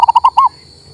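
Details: Fragment of a local male zebra dove's song for stimulating a bird that won't sing: four quick pulsed coo notes followed by a longer, slightly rising and falling final note, then silence.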